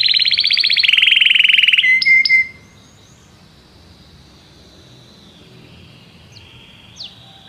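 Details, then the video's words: Belgian canary singing: a loud, dense buzzy trill for about two seconds, a few short sharp notes, then near silence broken by two faint high chips. "canário belga cantando"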